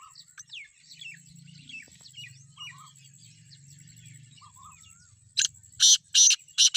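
Black francolin giving four loud, harsh, grating bursts in quick succession, following a few seconds of faint twittering from small birds over a low hum.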